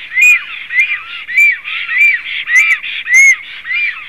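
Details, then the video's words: Male and female black storks whistling on 18 April 2016 at 19:35: a steady run of arched, clear whistled notes, rising then falling, roughly two per second, with brief higher squeaky overtones. "melnais starkis Male and Female whistles"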